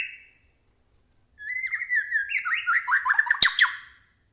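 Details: White-rumped shama, a captive bird, singing to provoke another captive shama into song: a single rich burst of varied whistled and buzzy phrases with rapid rising and falling notes and sharp clicks, lasting over two seconds after a brief opening note.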